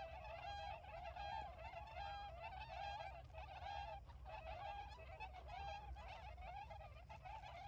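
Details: A flock of tundra swans, apparently just arrived for winter, in rice fields around Ouchigata, Hakui, Japan, on 3 November 2022, calling energetically and flying around: nasal, honking whoops, several overlapping calls every second, over a steady low rumble.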